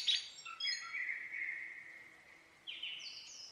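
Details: Common blackbird with a short sharp note, then a long, level, mellow whistle that fades, ending in a brief higher twittery flourish; faint low background hiss.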